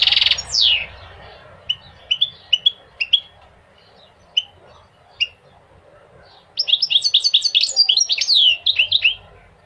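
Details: Goldfinch song played to motivate males to sing and to teach young goldfinches: a loud buzzy burst opens, then scattered short high chips, then a rapid tinkling twitter of bright rising and falling notes.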